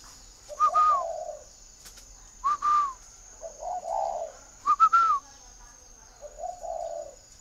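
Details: Captive-bred spotted dove in northern Vietnam repeating low, rounded coo phrases about four times, overlapped by crisp higher whistled notes.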